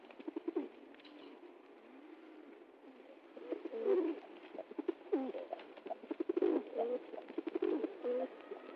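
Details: Pigeons being fed in the jungle: low, soft rounded coos rise and fall in short bursts scattered through the clip, over a steady background hiss with frequent sharp clicks and taps.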